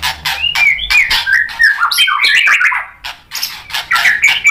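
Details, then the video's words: White-rumped shama, roused by a rival fighter, delivers its repertoire as a fast, dense stream of scratchy chatter and slurred whistles, slightly descending over the phrase and then resuming after a short break. "MURAI BATU GACOR bikin EMOSI NYAUT FIGHTER jadi BONGKAR ISIAN | PANCINGAN MURAI"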